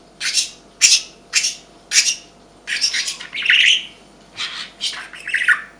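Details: A pet budgerigar (Melopsittacus undulatus) indoors chatters in short scratchy bursts, about two per second, then longer warbling phrases with a few higher whistled notes.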